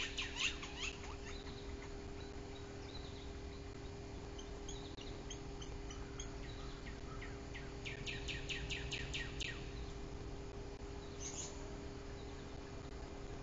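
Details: Chatty trio of Northern Flickers visiting a Bald Eagle nest at Bluff City, 24 July 2023: rapid runs of sharp, repeated downslurred notes, one burst near the start and a longer quick series later, over steady low hum.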